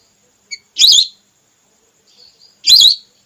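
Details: Female whistling duck call, red belibis type, used to draw ducks down for hunting: a faint chip, then two strong, quavering high whistles almost two seconds apart, with soft notes in between.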